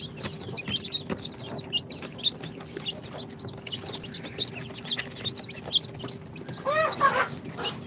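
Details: A brood of incubator-hatched chicks on their second day, Sultan, Golden Sebright, Cochin and booted, peep constantly in thin high downslurred notes from many birds, ending in a louder, fuller rising chirp near the close, with soft shuffling.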